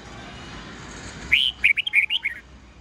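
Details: Morning song of a red-whiskered bulbul in the 'old forest voice' style with 8 to 10 notes, recorded for teaching young birds: a background hiss gives way to a quick run of about seven bright whistled notes, slightly rising and falling.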